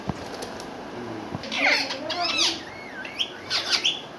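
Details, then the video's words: Pet rose-ringed parakeet sitting on a basket and talking in Urdu/Hindi, giving a rapid string of squeaky, chattering syllables with rising and falling whistled inflections, followed by shrill, sharp notes, indoors. "Mitthu sitting on basket and talking in Urdu /Hindi talking parrot"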